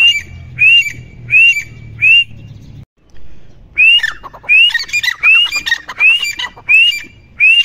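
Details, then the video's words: Teetar, or grey francolin, whistles four evenly spaced rising notes, falls quiet for a moment, then resumes with a quicker string of upslurred whistles tangled with scratchy chatter. "Teetar Ki Awaaz"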